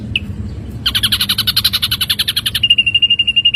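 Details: Ashy drongo songbird training recording: one chip, then a coarse buzzy rattle of fast pulses changing into a clear, steady high trill near the end.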